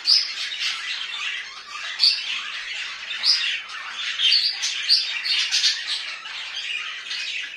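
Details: Domestic budgies twittering continuously, with bright whistled chirps popping out about every second over rough, high chatter.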